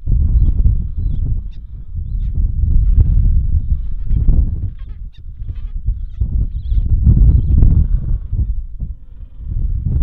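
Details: Gentoo penguin pair at a Bull Roads colony nest greeting by singing before changing places, one returned from the ocean to feed two-week-old chicks: harsh, rhythmic honking brays repeated rapidly, with strong low wind buffeting throughout.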